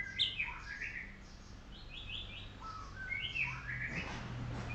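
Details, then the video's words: Golden shama, a white-rumped shama being sunned in the morning, sings varied sweet phrases: sharp high notes, quick rising and falling whistles and warbled runs, two phrases separated by a short pause, over low hum. "Murai Batu Golden Shama | Kicau merdu saat dijemur"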